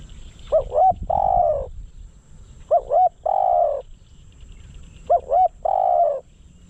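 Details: Spotted dove serving as a decoy to attract wild doves, repeating its phrase three times, about every two seconds: two short curling coos, then a long, even, slightly falling croon.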